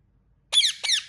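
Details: A single pair of loud, raspy chirps from an Indian ringneck parrot, the two grating downward-slurred notes following each other in a quarter second after a short silence.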